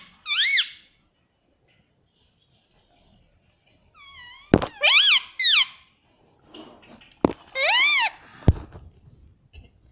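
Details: Parrot voice: three clear bouts of arched, squeaky, speech-like syllables separated by silence, with sharp knocks or clicks around the later phrases.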